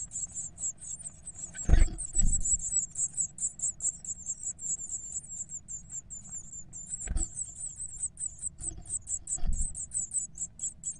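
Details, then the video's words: Twelve growing Eurasian blue tit chicks in the nest begging to be fed: a continuous chorus of very high, thin, rapid squeaky notes, with a few low thumps and rustling knocks underneath. "12 Blaumeisen wollen gefüttert werden"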